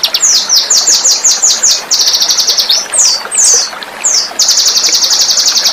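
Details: Sharp, spicy song of a small bird, used as a tutor recording for pet birds: rapid series of high downslurred whistles, a few longer swooping notes, ending in a fast, very high trill.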